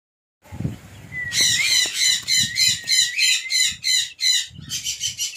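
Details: An adult male closed-ringed sun conure gives a run of harsh, shrill screeches, repeated rapidly about three times a second.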